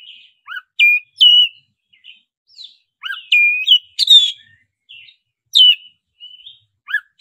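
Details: Lure song of a black-breasted oriental magpie-robin in the roll nembak style. Bright whistled notes with downward-slurred starts and buzzy bursts repeat every second or so, against a clean, silent background.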